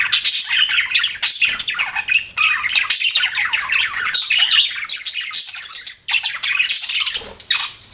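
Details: Budgies kept as pets chatter nonstop, mixing grating squawks, rising whistles and fast scratchy chirps, with a brief lull near six seconds.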